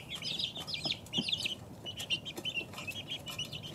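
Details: Several two-week-old chicks give quick, high peeps, some in tight bursts and others as single rising chirps, over a soft low hum.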